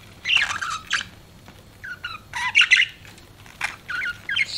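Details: Pet budgerigar parrot indoors giving short bursts of chirps and squawky warbles, separated by brief quiet gaps, in a small room.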